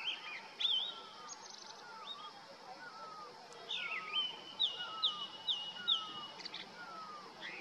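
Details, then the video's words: Territorial song of a male Grey-winged Blackbird on a deodar twig, Uttarakhand Himalaya, summer: bright whistled phrases and quick notes, with a lower, falling note repeated steadily underneath, fitting the Hill Barbet's 'piao-piao' call echoing through the valley. "Thrush calls out with abandon: Grey-winged Blackbird sits on deodar twig and trills out aloud"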